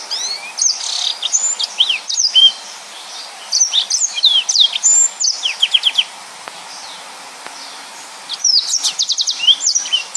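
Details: Yellow-fronted canary in full 'nembak' song: bursts of high twittering slides and rapid buzzy trills, a quieter stretch of about two seconds midway, then another fast run of trilled notes.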